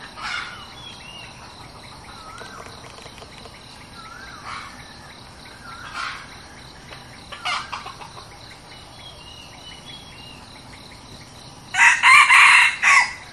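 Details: A red junglefowl decoy, newly brought out to lure wild junglefowl, crows loudly and abruptly near the end. Before it, a long quiet stretch holds scattered soft whistles and short chirps from other birds.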